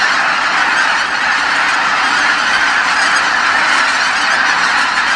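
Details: After sunset, geese that went out to feed come back to Kabukuri-numa marsh calling all at once; a full, even chorus of nasal honks, many birds heard simultaneously.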